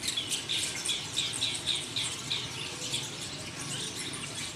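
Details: Green bee-eater (Merops orientalis) calling: a fast series of short, trilled high chirps repeated several times a second throughout, over steady background noise.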